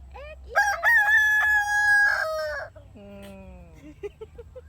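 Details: Evening crow of a rooster, marking the time of day around five o'clock: a loud sustained crow lasting about two seconds, trailing off, followed by quieter voices and clucking sounds.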